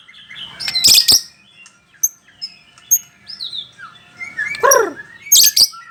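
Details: White-rumped shama of the Bahorok type, a kept songbird, singing from one spot: scattered short whistles and slurred notes, a loud descending stacked phrase near the end, and sharp broadband clicks or knocks.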